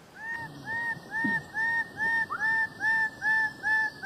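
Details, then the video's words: Bird-of-paradise (cendrawasih) of Papua, offered as a training recording for cage songbirds: a steady run of short, arched, nasal honking notes, about two per second and evenly spaced, over faint background hiss. "KICAU MASTER BURUNG CENDRAWASIH"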